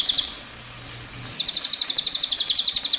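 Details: Cililin in long rolling song style (ngerol): a brief high burst, a quiet pause, then a fast even trill of sharp high notes, nearly four per second.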